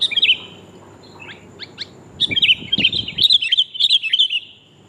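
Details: Female sooty-headed bulbul calling a male, used as a lure: an opening chirp, a few soft scattered notes, then a bubbly run of quick repeated chirps with slight knocking sounds in the background.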